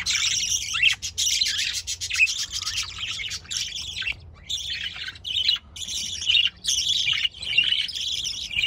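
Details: Nearly unbroken budgerigar warbling across almost nine seconds, a harsh, busy stream of high chirps and scratchy squeaks broken by a few short pauses.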